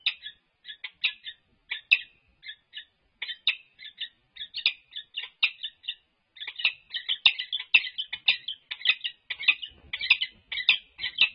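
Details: Wild Peregrine falcon pair resident at UC Berkeley, California, in courtship display, March 21, 2022, livestream recording. Scattered grating call notes at first, building into a denser, louder run of harsh chattering calls in the second half.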